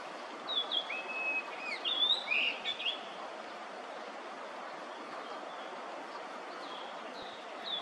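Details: Chinese (Yellow-billed) grosbeak song, early May 2024, a summer visitor to Korea: a quick run of clear, fluty whistles and slurred notes in the first three seconds, then fainter phrases over steady background hiss.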